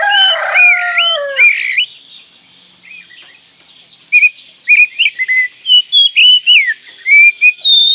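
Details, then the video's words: Training song of an Oriental magpie-robin (kacer): it opens with descending harmonic slurred notes, falls quiet, then gives quick, sharp whistled phrases of rising and falling notes in rapid bursts. "Masteran Kacer Manjur"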